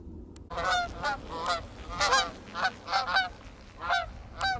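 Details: Waterfowl calling as they fly off into the sunset over a frozen winter marsh; loud harmonic honks come in bursts about every half second to second, rising and falling in volume, over a low background rumble.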